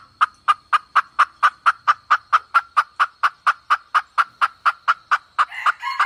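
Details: Red junglefowl hen calling as 2024 lure bait: a long, very even series of sharp, clipped clucks at about two per second, ending with a rougher rasping note.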